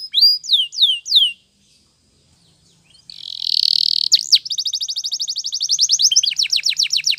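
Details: Spanish Timbrado canary song used for training canaries: loud falling whistled sweeps, near silence, then a buzzy roll leading into a long, fast, even trill of repeated notes.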